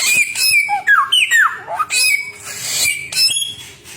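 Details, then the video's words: Samyong bird singing a varied, loud run of whistled and squawky notes: sharp falling slurs, rising whistles and harsh bursts follow one another rapidly with brief gaps, filling the whole four seconds. "burung samyong 1001 suara"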